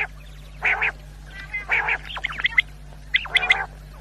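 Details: Quail, recorded for night hunters, gives harsh grating bursts mixed with a rapid series of sharp ticking chirps, about three call groups in four seconds, over a faint steady hum.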